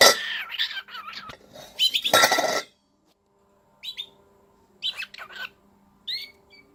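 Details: Pet cockatiel, indoors and excited while playing with a new food bowl, gives a loud burst of harsh, buzzy chatter, then short rising whistled chirps at roughly one-second intervals, with a faint steady hum behind.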